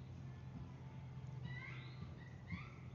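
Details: Northern cardinal at feeders beside woods and a creek below the North Georgia Mountains, Appalachian foothills northwest of Atlanta: a few clear, slurred whistles sliding downward, repeated twice over a steady low hum and background noise.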